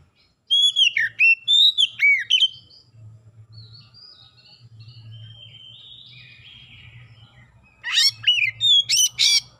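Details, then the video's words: A magpie-robin sings to lure other birds into song. Loud whistled notes with swooping, down-slurred turns come in a burst, go quiet with soft background sound, then return as sharp rising whistles. "PANCINGAN KACER LANGSUNG GACOR NGEPLONG NGOTOT BONGKAR MATERI ISIAN"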